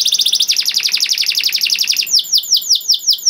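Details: Canary song for teaching young canaries: a long, dense trill of quick falling notes, shifting after two seconds into slower, sharply falling whistled phrases repeated about five times a second.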